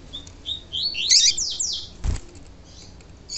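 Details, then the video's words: Double-collared seedeater male singing the tui tui style, with female calls played to excite him: a quick run of high sweeping whistled notes building to a dense burst, followed by a sharp knock and softer faint notes. "COLEIRO TUI TUI PURO E PIADO DE FÊMEA DE COLEIRO ESQUENTAR COLEIRO E ENCARTE DE COLEIRO TUI TUI"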